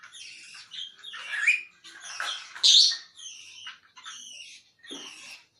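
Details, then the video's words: Talking grey parrot making raspy, noisy squawks and chattering sounds, broken by a louder shrill note partway through. "talking grey parrot"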